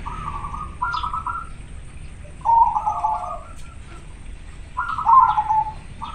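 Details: Local zebra dove in breeding condition, singing with a clear natural voice: soft rolling, bubbling coo phrases repeated every two to three seconds, over a quiet background.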